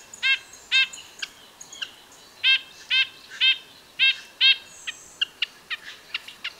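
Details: Red-breasted nuthatch with loud, evenly spaced nasal tin-trumpet notes in pairs and short runs, over a steady hiss of background noise and scattered thin chips from other birds.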